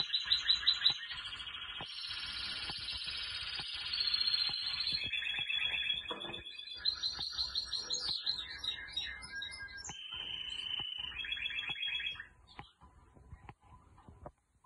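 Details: Domestic canary (Serinus canaria domestica) sings a long, high, fast song of rolling trills and sweet whistled phrases, changing pitch every second or two before falling quiet.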